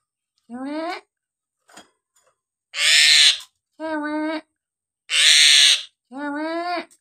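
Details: Nias hill myna singing loudly to goad silent birds into song: deep nasal, harmonic notes alternate with two loud, harsh, broad screeches, with brief pauses between.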